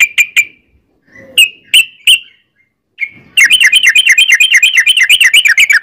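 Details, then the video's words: Sooty-headed bulbul: a few separate sharp whistled notes with pauses, then an unbroken fast rolling trill of high buzzy notes filling the final two and a half seconds. "trucukan gacor ROPEL PANJANG"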